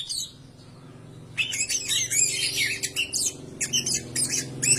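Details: Greater green leafbird singing, used to coax other birds to sing: a brief high note, a pause, then dense twittering and squeaky phrases over a steady low hum.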